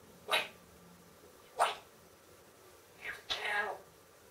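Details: Female pet talking parrot that also mimics barking and howling gives three short, breathy, speech-like bursts about a second and a half apart, the last one longer and more drawn out.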